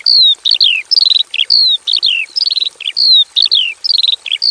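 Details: Loud song of a Javan bush lark in a plain aviary cage: a clear descending whistle, then a falling trill, repeated in cycles about every second alongside short rattles and buzzes.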